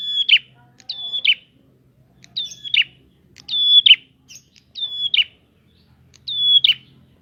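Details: Prinia singing to provoke other prinias: loud high drawn-out whistles, each closing in a buzzy downward flick, repeated roughly every second, quiet background.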